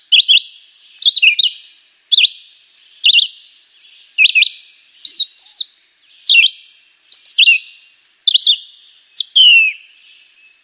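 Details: A young Chivi Vireo (juruviara) sings short, slurred, high whistled phrases roughly once a second, each a little different from the last, against a quiet background.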